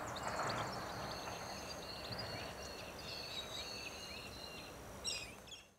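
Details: A small group of silvereyes in an overgrown field of tall grasses, tangled weeds, bushy plants and trees in agricultural Richmond Lowlands, NSW, in early September 2017, gives thin, high, wispy calls in short scattered bursts over traffic-like rumble and hiss.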